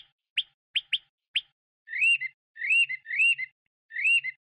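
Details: Chinese hwamei giving several short sharp upward whistles, then four arched, full whistled notes repeated at roughly half-second intervals in a quiet setting.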